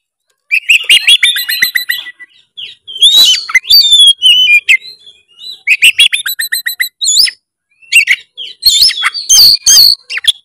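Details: Oriental magpie-robin pouring out nonstop 'narung' song to rouse a quiet bird: rapid trills of repeated chips, ringing whistles and harsh buzzes, phrase after phrase with only short breaks.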